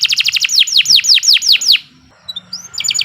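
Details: Domestic canary in full, nonstop master song for training other birds, rapid high chirps speeding into a series of downward-sweeping whistles, a short gap, then a fresh burst of quick notes.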